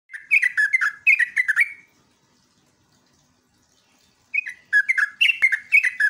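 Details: A sooty-headed bulbul gives quick runs of bubbly, chattering whistled notes, about two per second, in two bursts separated by a short silence; it is used as a lure call to make other bulbuls answer.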